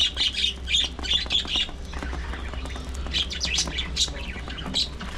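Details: Breeding colony of budgerigars: squawky, high chirps come in clustered bursts during the first seconds, then give way to looser warbling chatter over a low background hum.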